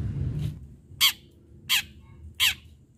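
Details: Long-tailed shrike singing vigorously in a sharp fighting style, used as a lure to provoke other shrikes into singing: three loud, harsh, rasping notes about 0.7 seconds apart over a low background hum.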